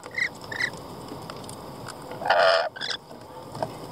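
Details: Lorikeets calling: two short bright notes a half-second apart, then a loud harsh screech with a stuttered follow-up, over a steady background hiss.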